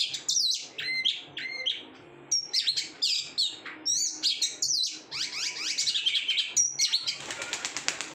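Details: Kept oriental magpie-robin, set up without bathing, singing loudly: clear repeated whistled phrases, a short pause, then bursts of bright slurred notes ending in a fast, rattling flurry.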